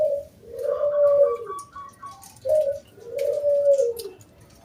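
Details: Local wild zebra dove singing as a lure for other doves: two phrases, each a short mellow coo followed by a long, low, rolling coo, with faint higher notes behind.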